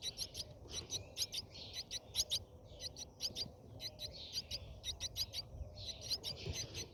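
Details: Brahminy starling nest interior during feeding: quiet but continuous high, buzzy chirps in quick groups of two to four over steady background noise.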